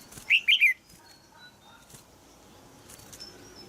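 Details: In Thailand, a caged female red-whiskered bulbul calls to excite a young male into singing. A single quick three-note chirping phrase opens the recording, followed by faint scattered high tones and quiet background.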